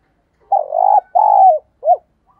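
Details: Decoy spotted dove calling to lure wild doves: a low coo phrase of two long, slightly wavering notes followed by a short rising-and-falling note, in quiet surroundings.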